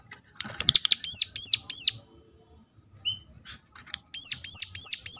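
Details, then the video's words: Piercing lure call of a Sunda warbler (ciblek gunung) to set other birds singing: a chattery opening, four high arched notes, a quiet gap with one short whistle, then four more notes. "ngecall tajam ciblek gunung"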